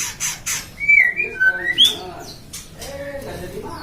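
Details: White-rumped shama, captive-bred by a songbird keeper in Depok, Indonesia, a contest songbird, singing lively: clear whistled notes sliding up and down with a quick upward flourish mid-phrase, then quieter scratchy sounds and faint background noise.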